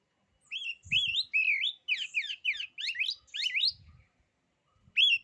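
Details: Oriental magpie-robin, called kacer, singing a song said to unsettle rival kacer: a few rising whistles lead into a fast chain of buzzy sweeping notes, ending in one loud whistle after a pause.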